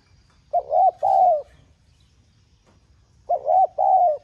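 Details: Spotted dove calling in 'giọng son' voice to drive captive birds to coo: two phrases nearly three seconds apart, each a hooked double note then a drawn-out, gently falling coo.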